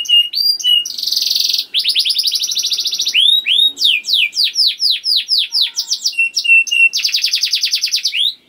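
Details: Energetic canary song meant to spur young birds into song: varied rapid trills, arched whistled notes and quick downward sweeps repeated in rolling series, with a dense fast trill near the end, all high-pitched and bright.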